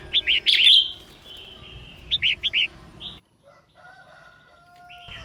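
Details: Female red-whiskered bulbul song used to rouse males to sing: two bursts of quick, bright, hooked whistled notes, the second a tidy run of four, followed by near silence with faint thin tones.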